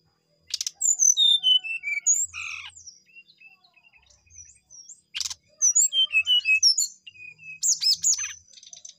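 Brown-chested jungle flycatcher giving a rich, varied song of clear descending whistles and sharp chirped notes in quick bursts, with brief pauses between phrases.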